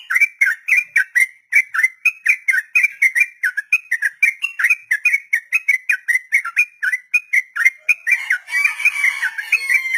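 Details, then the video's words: Extended 'ropel' song of a sooty-headed bulbul for training untamed birds: a rapid, continuous series of clear whistled notes, about four per second, over ten seconds. Hissing noise rises near the end. "Trucukan Ropel panjang"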